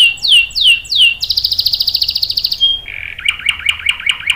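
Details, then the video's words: Canary song used as a lure to get other canaries singing: a few descending sweeps, then a fast buzzy trill, a brief pure whistle and a lower series of repeated notes. "PANCINGAN KENARI GACOR cuit cuit bikin NYAUT ikut BUNYI NGEROL PANJANG ¦ CANARY SINGING"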